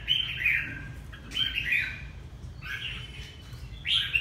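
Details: Red-whiskered bulbul from Ha Tinh, Vietnam, singing short bright warbled phrases of chirpy notes, bursts spaced about a second apart with quiet gaps between.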